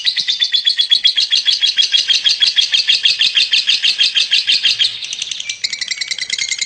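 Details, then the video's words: A champion lovebird pours out a loud, fast rattling trill of shrill notes for about five seconds, then shifts to thinner, higher squeaks. "Lovebird Juara"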